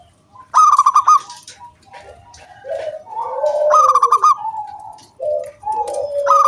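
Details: Local wild zebra doves in 'kung bulat' lure song for prompting other doves to sing: a loud bright stuttering burst of rapid notes, mellow lower coos, and another stuttering burst, with more than one bird calling.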